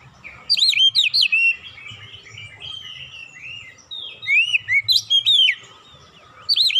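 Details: Oriental magpie-robin singing for a training lure, with tit-like imitation: fast series of sharp looping whistles, softer warbled twitters between, then another burst of bright notes and a final whistle.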